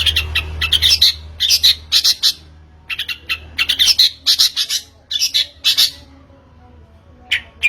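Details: Long-tailed shrike sounds played as a lure to prompt singing: repeated grating, buzzy bursts in irregular groups, with a few thinner high notes between them.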